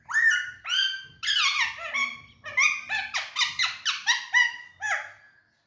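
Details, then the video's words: Green Alexandrine parakeet playing in its cage in an active, jolly mood: a rapid series of about a dozen loud, harsh, rich-toned squawks and screeches, many rising then falling, with faint low room noise. "Green parrot playing, Singing and making sounds in Cage"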